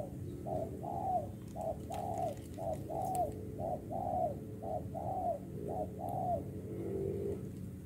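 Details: Rhythmic cooing from a spotted dove called a 'bổi đồng pha': a long series of short hollow hoots alternating with slightly longer slurred notes, about one per second, over constant low background hum.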